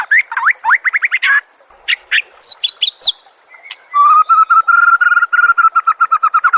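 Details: White-rumped shama song played as training material for songbirds. Quick rising whistled notes and high sharp chips, a short quiet gap, then a long steady run of even repeated whistles.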